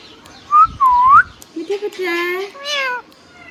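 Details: Tame pet green ringneck parrot giving a smooth rising whistle followed by buzzy, nasal talking syllables, drawn-out and slightly falling, in a quiet indoor room.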